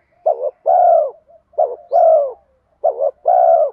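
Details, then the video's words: Bronze-voiced spotted dove giving lure coos in the 'thúc gù kèm mắt me' style to draw in wild doves. Three steady low coo phrases, each a brief wobbling note and then a long mellow coo. "Cu gáy giọng đồng pha thúc Gù Kèm Mắt Me rút chim bổi cu gáy rừng nhanh về cội"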